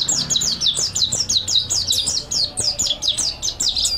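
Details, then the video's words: Mountain white-eye singing a training master song: continuous fast series of high, sliding chirps, each note dropping in pitch, repeated rhythmically about four to five times per second. "MASTERAN PLECI MONTY GACOR NEKBAK ISIAN MANTAP | MANTERAN PLECI MONTANUS ISTIMEWA"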